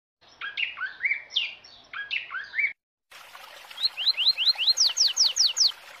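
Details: Double-collared seedeater chick calls, used to stir up an adult: first a busy run of twittering, slurred phrases, then after a pause a quick series of sharp rising notes, about two or three each second.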